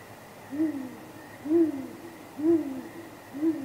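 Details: Great grey owl pair at their nest on a live nest camera, at night on 23 April 2019, trading contact hoots around possible mating: four deep, slightly arched hoots about one per second, with a faint steady high hum behind.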